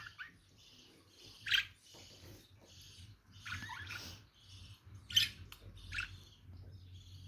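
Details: Lovebirds calling: a few loud, shrill chirps near 1.5, 5 and 6 seconds rise over a soft, continuous twittering chatter, with a low hum underneath.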